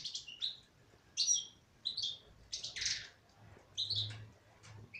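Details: A female European goldfinch sings short bursts of high, slurred tweets and a raspy buzzy note, phrases separated by half-second pauses.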